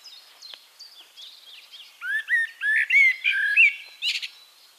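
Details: Eurasian blackbird singing in Castricum, the Netherlands, with a few soft distant chirps first, then a loud run of rich fluted whistles about two seconds long, capped by a scratchy high twitter.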